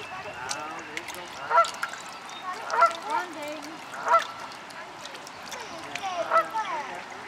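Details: Parent mute swans at Reddish Vale Country Park chasing away their cygnets, hatched in June 2011, as they prepare to nest. Short nasal honks spaced over one second apart, with soft murmuring and voices faintly behind.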